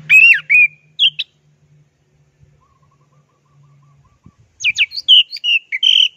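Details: Orange-headed thrush in the plong and teler style, heard on a training recording: strong whistled notes and short bursts, a long pause with a low steady hum, then a busy phrase of varied whistles and sharp notes.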